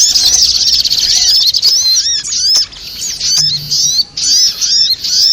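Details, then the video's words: Little spiderhunter, called sogok ontong, in a lure for trapping: thin, high, rapidly repeated chirps and curling notes, loud at first, then broken into shorter bursts with pauses. "suara pikat burung sogok ontong"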